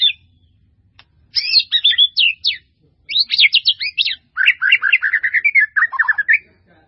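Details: White-rumped shama singing a full-isian training song, packed with varied phrases: a whistle at the start, then rapid bursts of sharp, twittering and rising notes in quick succession, growing more continuous toward the end.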